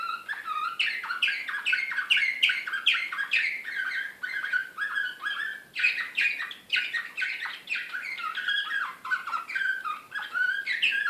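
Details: Canary of the Serbian slavujar song type, Belgrade 2016, singing in an excited state: long stretches of quick repeated downward-sweeping notes, about two per second in bursts, alternating with rolling trills.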